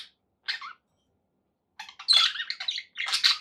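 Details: Two short squeaky chirps from pet budgerigars, a pause, then a quick burst of scratchy warbled chatter.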